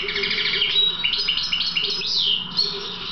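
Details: Trained goldfinch of the subspecies Carduelis carduelis balcanica singing a dense, high twittering phrase of tinkling notes and short downward slurs repeated in quick steps, over a steady low background hum.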